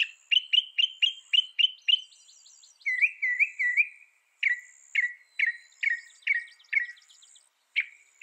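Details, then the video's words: Mockingbird delivering a series of sharp repeated notes, about three per second, then a run of slurred whistles and another set of spaced chirps, each phrase type repeated several times. "Mocking Bird sound"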